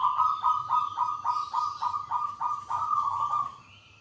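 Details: Local Indonesian zebra dove singing its characteristic voice: a fast string of about ten short, evenly spaced low coos, rolling and slightly bubbly, fading at the end, with faint background chirps.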